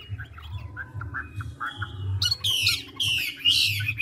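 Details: Chinese hwamei, a large mature 'ngũ trường' bird, gives soft, quiet chirps, then loud harsh buzzy bursts in the second half, over a low hum.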